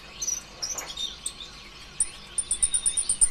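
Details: Sunbird, local name kolibri ninja (green form), in a lure song for other birds: a few high chirps and slurred notes, then a rapid evenly spaced train of very high piping notes.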